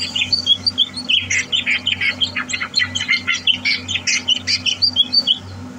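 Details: Greater green leafbird kept in a cage and prepared for competition, 30 November 2022, delivering a dense run of bright, rapid chirps and twittering notes with barely a pause, over a constant low mechanical hum.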